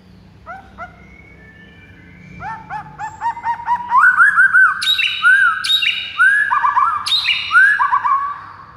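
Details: Song of a white-rumped shama aimed at provoking stalled rivals into singing: soft low stuttering whistles build into loud repeated phrases of sweet slurred whistles with sharp high accents, continuing without pause.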